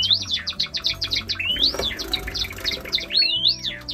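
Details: A pet Java sparrow gives quick, high chirps and clicking notes, several per second, with a few rising whistled slurs; soft instrumental music plays underneath.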